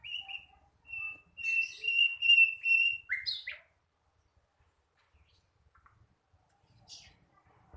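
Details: Young flycatcher practising its song: a string of repeated clear whistled notes on one pitch, ending in a quick rising flourish, followed by near silence with a few faint chips.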